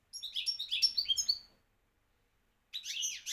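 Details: European goldfinch from Morocco singing a rapid twittering phrase of high, liquid chirps and trills for about a second and a half, then a pause before another burst of tinkling notes begins.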